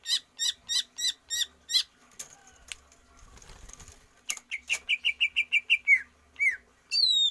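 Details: Greater green leafbird used for stamina training without free-flight exercise. It gives a rapid string of bright repeated chirps, then after a brief rustle a long even series of about a dozen whistles ending in swooping slurs.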